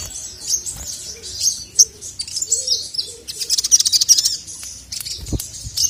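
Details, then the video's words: Singing male crested jay meant to provoke rivals: thin high chirps and twitters build into a fast buzzy rattle near the end, with a soft low thud. "SOGON MANAPUN NGMAUK GACOR langsung emosi dengar masteran suara burung sogon jantan ini"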